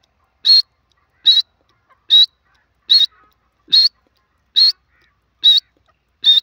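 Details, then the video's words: Grey francolin from Pakistan: single sharp high notes repeated evenly, roughly every 0.85 seconds, against a quiet background. "teetar ki awaaz"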